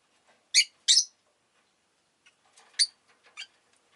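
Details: Shrill, rasping chirps from rosy-faced lovebirds: two loud calls close together, a pause, then softer scattered chirps and one more clear call near the end.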